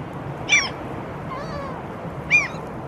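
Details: Two Canada geese walking on temporarily exposed seabed in Helsinki, Finland, in April 2023, give two short, nasal honks nearly two seconds apart, over a steady low rumble of background noise.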